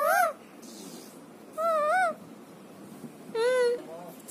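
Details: A talking parrot gives three short, clear, harmonic-rich vocal sounds about 1.5 seconds apart: the first two waver up and down in pitch, the last is flatter and steadier, over a quiet background.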